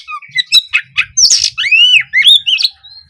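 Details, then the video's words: Oriental magpie-robin song used as tutor material for young birds: a varied run of harsh squawky notes, short chirps and slurred whistles, ending in loud rising and falling whistled phrases. "Awalan suara Kacer bahan belajar gacor, cocok untuk memancing Kacer trotolan agar lekas nyaut gacor"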